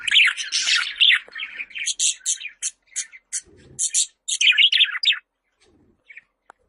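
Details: Budgerigar giving a fast run of scratchy chirps and warbled notes, many short clicks and tweets packed together, ending in a few soft faint notes.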